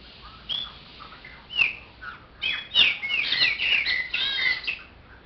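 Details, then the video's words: Chopi blackbird song of varied whistles, short notes at first, then a loud tumbling phrase of sliding, bubbling whistled notes packed closely together, with light background hiss. "CANTORIA DE PÁSSARO PRETO !"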